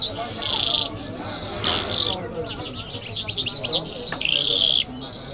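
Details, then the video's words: A lark, named as an Iranian 'Jal' or Mashhadi lark, sings a fast, continuous run of high, bright warbles and trills mixed with sharp chirps and buzzy notes, with no pauses between phrases. "Lark Sounds"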